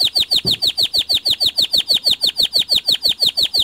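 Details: Local white canary giving a fast, evenly spaced roll of bright downward-slurred notes, roughly three each second, each with a soft low thump beneath.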